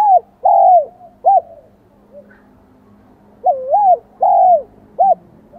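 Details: Vietnamese spotted dove with a high 'giọng son' singing voice. Soft, sliding coos: a long arched note and a short final note, then after a pause a wavering double coo, another long coo and a clipped ending. A faint low hum is present.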